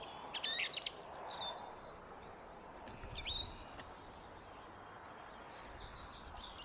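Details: On a foggy day by garden feeders, a song thrush delivers short, bright whistled and chirping phrases in two separate bursts, with faint high notes from other birds and a constant hiss of background noise.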